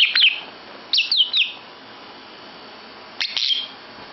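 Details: Lovebird calling indoors in a bedroom: sharp high chirps, a single note near the start, then a quick burst of three about a second later and another pair near the end, with quiet room hiss between.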